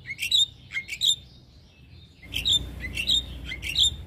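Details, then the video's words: Javan myna song from a training recording for cage birds: harsh squawky notes with sharp whistled inflections, a pause of about a second, then a faster run of similar grating whistles. "Masteran Burung Jalak"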